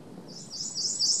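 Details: Ijima's leaf warbler singing near Akakokko-kan: a quick series of very high, thin notes repeated about four times a second, over a faint low background rumble.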